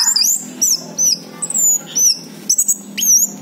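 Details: Lure song of an orange-headed thrush for coaxing quiet birds to respond: very high, thin whistled notes that rise and fall, given singly or in short pairs with brief gaps, plus faint low hum.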